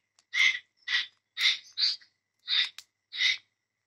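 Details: Cockatiel giving six harsh, breathy squawks, each short and rasping, spaced roughly half a second to a second apart with quiet gaps between them.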